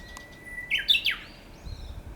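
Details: Japanese bush warbler heard but unseen in the wild, giving a clear song phrase: a long flat whistle jumping to a bright, quick, descending trill-like ending, with faint distant birdsong and low background noise.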